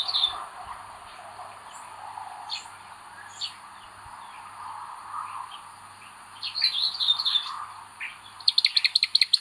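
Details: Common buzzard chick at the nest, 25 May 2022, where the eldest chick is aggressive, giving thin, high piping cheeps, scattered at first, then a fast run of sharp repeated notes, over a steady low hum.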